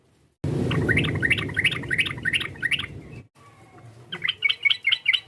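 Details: Sooty-headed bulbul calling to provoke a rival. Rapid repeated chirps are partly masked by a loud low rumble, then a short quiet gap, then a fresh burst of quick chattering notes.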